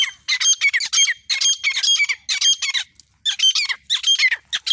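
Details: Female grey francolin calling nonstop in India: harsh, buzzy, high-pitched notes delivered in rapid bursts of three to five, separated by short pauses, with no other clear sounds.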